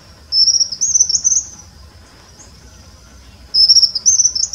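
A white-throated kingbird gives two high, thin, buzzy twittering phrases that step upward in pitch, about three seconds apart, over quiet low background noise.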